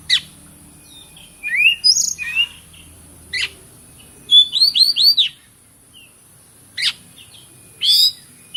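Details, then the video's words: Oriental magpie-robin (kacer) singing a loud, energetic song: short bursts of sharp rising and falling whistles, including a quick run of four or five downslurred notes, separated by brief pauses. "KACER BUKOR PARAH !!! PANCINGAN BURUNG KACER YANG MACET BUNYI - TERAPI GACOR"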